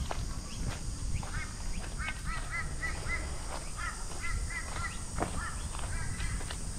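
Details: Kookaburra laughing in the Queensland bush, Australia, in mid-afternoon: bursts of rapid, stacked chuckling notes repeated in runs, over a steady high cicada drone, with occasional footsteps as someone walks past.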